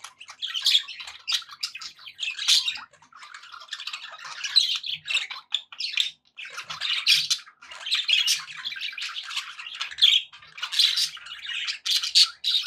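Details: Happy budgerigars kept as pets, chattering continuously: a long run of buzzy warbling, clicks and squeaky chirps rising and falling in loudness, with brief lulls.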